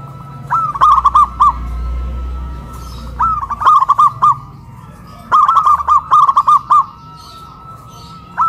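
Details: Caged local zebra doves singing loudly after being hoisted up a pole in Kuningan, West Java, Indonesia; three bursts of quick rolling coo notes, each opening with a slightly higher note, over faint low background hum.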